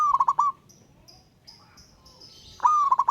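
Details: Wild local zebra dove calling a rival with ngayer song: two stuttered cooing phrases, each a held note broken into rapid pulses. Thin high whistles from another bird sound in the pause.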